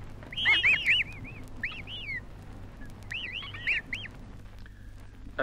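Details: Emu (Dromaius novaehollandiae) chicks in Australia give thin, high whistled peeps, each note rising then falling, in quick bursts of several notes with short pauses, over a low steady hum.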